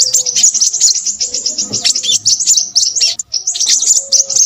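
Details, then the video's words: An agitated crimson sunbird pours out fast, shrill twittering, thin high notes packed tightly together, with a short dip in the flow just after three seconds. "burung sepahraja ribut"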